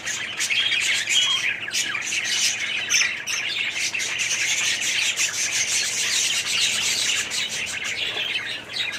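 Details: Aviary budgerigar colony in 2017 giving a steady wall of shrill chirps, whistled notes and harsh squawks from many birds.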